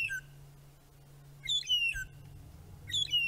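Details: Three magpie shrikes at sunset on June 10, 2017, at Djuma Game Reserve, giving clear, mournful, sad, cry-like whistles that slide downward. The whistles come in two bursts about a second and a half apart, over a low steady hum.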